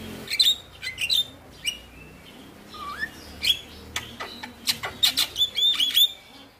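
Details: Male Javan myna song used to coax quiet birds into singing: sharp broadband rasps mixed with high whistled slurs, one lower rising whistle midway, and quick chattering notes clustered near the end.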